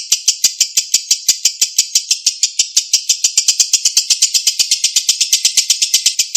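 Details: Long ngekek from a lovebird, a clear recording meant as a lure for a bird that has stopped singing: fast, shrill, even chatter of clipped notes running continuously without a break.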